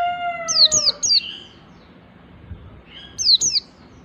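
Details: A lower, drawn-out tone fades out at the start, then the white-eye gives ngalas song while learning nembak: two quick bursts of high, falling whistled notes, about two and a half seconds apart.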